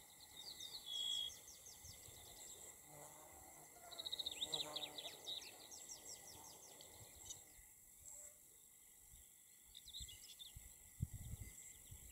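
Meadow pipit giving thin, high, squeaky notes in short bursts, with steady insect hum and faint background noise.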